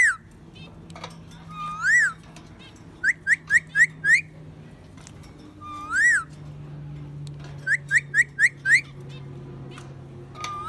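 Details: Captive parakeet repeating a whistled tune: a long rising-falling whistle, then a run of four or five short upswept notes, the pattern repeated several times over a steady low background hum.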